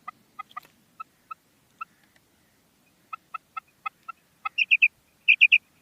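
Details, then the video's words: Female common quail calling: a scatter of short, dry, clicking notes spaced irregularly, then several loud, high three-note bursts in quick rhythm toward the end. "Female Batair Ki Awaz|Maadi Batair Ki Awaz new| Common Female Quail Calling|New maadi Batair Ki Awaz"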